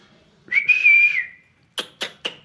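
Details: A parrot makes one smooth, sustained whistle that arches gently in pitch, then four crisp clicking pops spaced about a quarter second apart.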